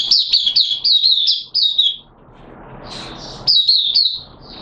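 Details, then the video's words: Caged oriental white-eye in wet weather, 'buka sing' song: two seconds of fast, high, rippling warbles, a pause filled by a rushing noise, then further slurred whistled phrases. "Mata Puteh T Rex Buka Sing"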